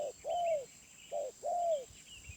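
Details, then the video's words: A wild spotted dove, noted for its medium-pitched voice, coos more softly here: two pairs of a brief note followed by a longer arched coo, over a noisy background with faint high chirps. "Tekukur Liar // Suara Menengah"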